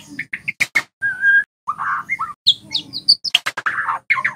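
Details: White-rumped shama song used as a lure for spotted young shamas to learn loud 'ngeplong' singing: rapid varied phrases mixing sharp clicks, rising and falling whistles and buzzy notes, with short gaps between bursts.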